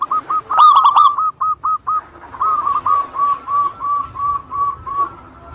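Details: Zebra dove, local type, singing to provoke rivals: a loud stuttering burst of coos followed by a long even series of softer, spaced single notes gradually fading.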